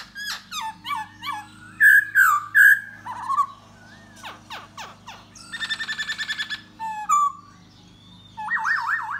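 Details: Da Bò laughingthrush singing and dancing to lure a female: rapid rising whistled notes, then loud slurred phrases, a buzzy rattling burst and closing warbled trills, over a steady low hum.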